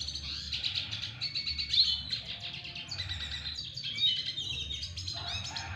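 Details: Male-style courtship singing by a double dilute red siskin toward a female: a long, fast chatter of high chirps, trills and scratchy notes, rising and falling in loudness.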